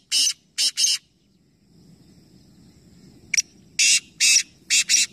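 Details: Black francolin calling in a three-bird contest in Nawabshah, Pakistan: the tail of one harsh phrase with three grating bursts, a two-second lull, then a fresh phrase of a click and four rasping notes.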